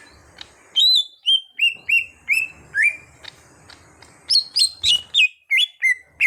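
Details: Green leafbird kept caged, an untrained bird being brought into full song, sings clear sliding whistles and evenly spaced short chirps, slowing mid-phrase, then a faster burst of high notes.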